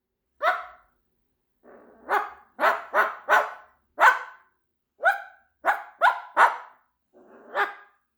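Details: A bilingual Moluccan cockatoo (Cacatua moluccensis) mimics a dog, giving a string of hoarse, throaty barks.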